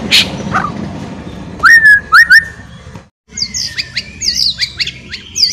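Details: White-rumped shama (murai batu) ngeriwik singing, played to stimulate another shama to sing: a brief muffled chirp, two loud clipped whistled phrases, a short silence, then a jumble of high chips and twittering slurs.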